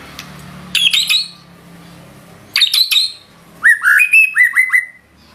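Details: White-rumped shama singing loudly with filler phrases: three separated bursts of rich, rapid notes, the first two high and ringing, the last a run of quick rising whistles, with quiet pauses between.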